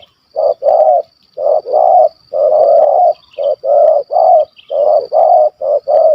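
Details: Malaysian spotted dove with a large stuttering voice giving its kuk 1 2 call in a hunt: dense loud coos in pairs and runs, near continuous, strong and close, with a faint high hiss behind.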